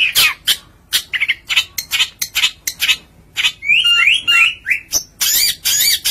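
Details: Long-tailed shrike in loud song, a kept bird, giving a quick series of harsh broadband chips and squawky notes broken by a run of rising slurred whistles, then more rasping bursts.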